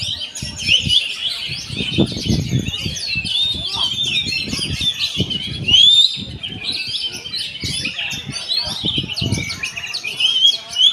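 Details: Oriental magpie-robin singing: a dense run of high whistled notes, rising slides and chattering phrases with little pause, over low irregular thumps and rumbling background noise.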